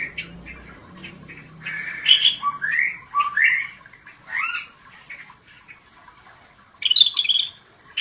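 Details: Scaly-breasted bulbul in lively "gacor" song: a rapid run of rising, slurred whistles and harsh chips, then a louder squawky burst near the end. A soft low hum is heard early on.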